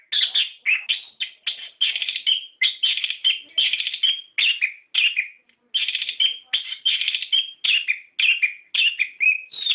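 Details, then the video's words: Continuous song of an orange-headed thrush, meant to set captive birds singing: rapid repeated whistled phrases, many with trilled rolling notes, in a steady unbroken stream. "Pancingan Suara Burung Anis Kembang Gacor Ngeplong Ngerol"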